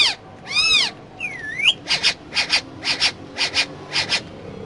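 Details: Pet parrot talking inside a car: a sweeping whistled note, a rising-falling glide, then a run of short, evenly spaced harsh bursts of mimicked speech, with low road hum underneath.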